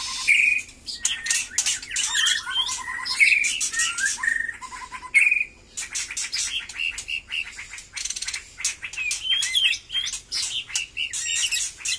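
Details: Batu Kurau strain white-rumped shama whose song is picking up after moulting. Bright whistled notes and quick trilled runs are repeated in short phrases, with many sharp clicking notes.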